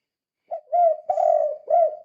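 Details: Vigorous 'kuk 2' calling of a spotted dove, meant to lure other doves into calling: a brief soft note, then three full, throaty coos, the middle one long and slightly wavering, the last rising and falling. Nothing else audible.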